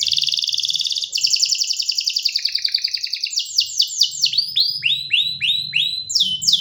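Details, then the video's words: Singing canary. A rapid pulsed trill steps down in pitch and ends in quick series of sharp, descending whistled notes. A faint low hum is heard underneath. "جميع طيور الكناري سوف تغني بعد الاستماع إليها Canary singing"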